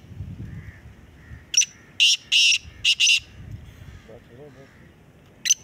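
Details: Black francolin in a calling competition giving a phrase of five harsh, buzzy, grating notes in quick succession, then a single later note; faint low murmur and a brief soft whistle-like sound between.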